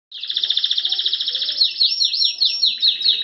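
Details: Red mosaic canary, one of two males aged eight to nine months, singing a lot and ready to breed: a fast, even trill of bright notes, then rolling, swooping high phrases repeated several times a second.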